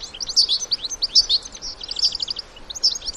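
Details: Wild European goldfinches, adults together with their young, twittering in quick liquid bursts. Bright high chirps come in clusters, with short pauses between the busy phrases.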